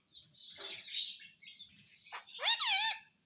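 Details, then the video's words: Talking pet parrot produces a hissy, murmuring stream of noisy sounds, possibly chatter, followed by one loud screechy squawk with a wavering, dipping pitch. "Talking Parrot"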